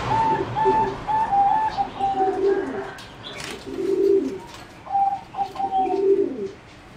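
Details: Singing zebra doves bred for competition, kept in a flight cage, utter low rolling coos in three spaced bursts, while a thin whistled note repeats rapidly in series above them.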